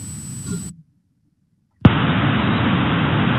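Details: Low rumbling noise with a faint high tone breaks off into a second of silence, then a sharp pop gives way to steady broadband static.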